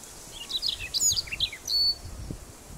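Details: Male Siberian Rubythroat singing on Teuri Island, Japan, on 28 April 2019: a brief phrase of varied high whistles and chirped notes, some sliding, over faint low background noise.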